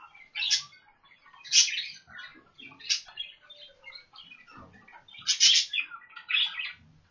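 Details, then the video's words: Budgerigars kept in Pakistan give loud, scratchy high chirps in five bursts about a second apart, with softer chattering warbles filling the gaps. "Austrailian parrots voice"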